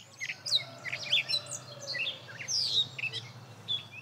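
A Gray Catbird sings a rambling string of varied squeaky, scratchy and whistled notes, each phrase changing from the last, with a soft low hum underneath.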